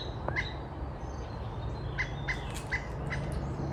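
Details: Pileated Woodpecker foraging in backyard bushes, communicating with a nearby mate, recorded on a phone; a softer call than the loud jungle call. Four short squawky notes come at 0.4, 2.0, 2.3 and 2.75 seconds over steady low rumbling background noise.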